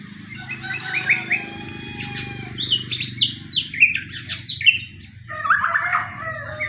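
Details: Fighting pastol murai song, a white-rumped shama used to provoke other shamas into singing: high, bright whistled notes and ringing phrases strung together with brief clicks, building to a busy, varied run before trailing off.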